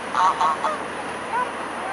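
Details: Mute swans in a large gathering at Blaues Wunder, 22 May 2016, 19:25. A quick run of short, nasal, harmonic honks comes first, followed by one fainter wavering call. Steady background hiss.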